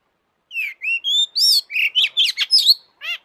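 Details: Excited long-tailed shrike song played to provoke shrikes into singing: a sequence of clear rising and level whistles that turns into harsh, tumbling, scratchy notes, closed by one nasal, buzzy note.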